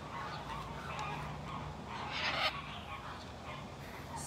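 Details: Scarlet macaws in a zoo's Caribbean Coast exhibit, fairly quiet and content while getting attention, give harsh, honking squawks, loudest around the middle, against a murmur of background noise.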